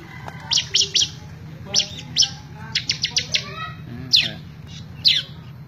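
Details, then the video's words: Bar-winged prinia in full song, recorded May 2017 for tutoring other birds: short high sharp chirps in small clusters, spaced irregularly with brief pauses, over a steady low hum. "CIBLEK GACOR COCOK BUAT MASTERAN"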